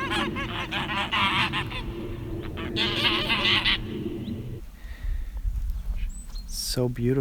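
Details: Domestic guard geese on a farm pasture honk loudly and harshly in a rapid, overlapping volley for several seconds while fighting two wild Canada geese, then a person talks and laughs.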